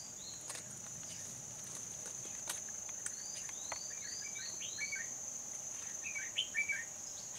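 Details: Red-whiskered bulbul used as a decoy bird for trapping, dated 14/11/2020: a few short, bright, slurred whistled notes, rising and falling, scattered through the second half, over a steady high insect whine and faint background hiss.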